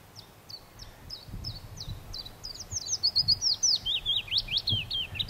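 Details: Willow warbler song: a soft, sweet phrase that quickens and swells, then slides down in a descending cascade of whistled notes, over a low background rumble.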